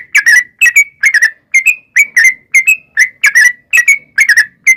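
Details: Lure song of a sooty-headed bulbul to provoke wild birds to respond: clear whistled two- and three-note phrases, each ending in a slurred rising note, repeated roughly every half second in an even rhythm.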